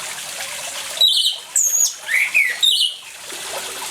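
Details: Short outburst from an orange-headed thrush recorded with running water to coax quiet birds into song: four or five clear, high whistled notes, some slurred downward, over a continuous watery hiss.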